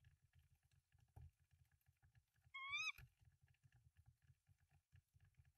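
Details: Nesting tawny owl filmed by a nest camera in Denmark in March 2024, three eggs in the nest: a single brief wavering harmonic screech near three seconds, with a faint knock before it and constant low hum beneath.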